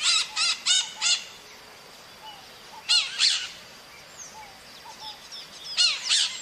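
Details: Maritaca parakeets calling in the wild: short bursts of three or four grating screeches, separated by quieter pauses with thin, faint whistled notes in the background.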